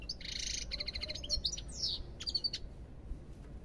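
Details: European goldfinch song opening with a dry buzzy trill, then twittering notes and clear descending whistles, followed by a quiet pause.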